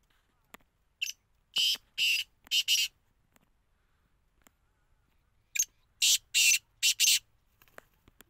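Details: Black francolin giving two full phrases, each a short note then four loud harsh grating bursts, the series repeated after a pause of about three seconds, with faint clicks between.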